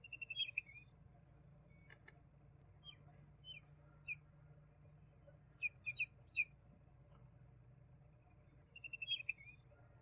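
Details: High thin song of a juvenile common babbler in scrub country: opening fast trill, scattered single chirps, a group of sharp falling notes, and a closing rapid trill, with low steady hum beneath.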